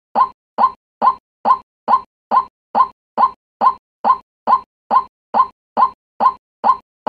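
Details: White-breasted waterhen (Amaurornis phoenicurus) lure call played to attract waterhens: a short, hollow croaking note repeated about twice a second in a steady mechanical rhythm, with no other sounds.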